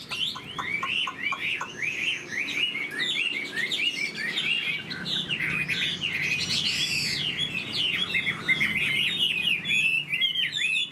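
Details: Sustained song from a tame caged Chinese hwamei: a string of staccato notes leading into an unbroken flow of varied whistles, warbles and mimicking twists, loud throughout with a light background hum.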